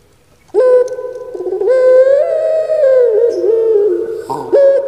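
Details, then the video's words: Captive-bred puter pelung turtle dove, a Javanese breed prized for its kuk gerukkk kwokkk voice, calls once from quiet: a brief opening note, then long deep resonant tones rising slightly and fading, with a short final note. "Puter Pulung Suara Gemanya Bikin Lupa Diri"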